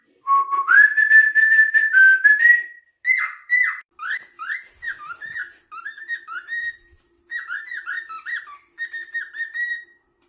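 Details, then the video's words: Cockatiel kept as a pet singing a rising, pulsed whistle that levels off, followed by a run of short, falling whistled notes in quick groups with brief pauses between them. "Cockatiels: the tiny divas of the bird world!"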